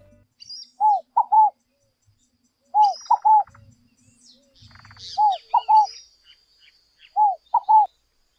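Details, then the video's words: In Brazil, a Scaled Dove (rolinha-fogo-apagou) sings, repeating a low, hollow three-note coo about every two seconds, the last two notes close together, with faint high chirps of other birds behind. "canto da rolinha-fogo-apagou"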